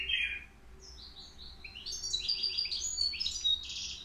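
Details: European goldfinch aged three, caged at the Qriaa bird market, with a song called flawless; a buzzy chirp, soft whistled notes, then a continuous rapid stream of glittering high twitters and trills.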